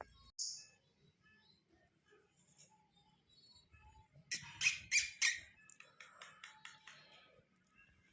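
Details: A pet Rose-ringed (Indian ringneck) parakeet indoors near its cage chatters in a quick burst of harsh, high squawks, about five loud notes in a second, then trails off into softer mumbling.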